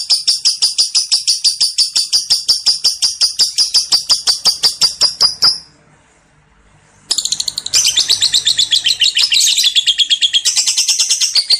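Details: Lovebird giving a long 'ngekek' chattering song, offered as a lure recording: rapid sharp high strokes repeated for about five seconds, a brief silence, then a denser, harsher run of high chatter to the end.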